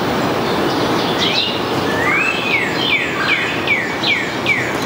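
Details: Starling returning to a nestbox during an inspection on 16 May 2020, singing a run of clear whistles: a long arching whistle, then five or six short falling whistled notes about every third of a second over steady background hiss.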